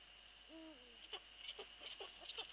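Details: Eurasian eagle-owl near the nest microphone at night on 22 February 2013 while the female had left; one smooth, slightly falling call, then a run of soft clicks and taps.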